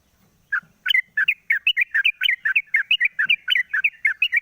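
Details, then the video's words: Sooty-headed bulbul, a caged bird singing in the morning after its cage cover is opened, used as a lure recording: rapid bubbly chirps, each a quick rising-falling flick, pouring out several per second after a half-second of quiet. "pancingan burung trucuk di pagi hari buka krodong bunyi"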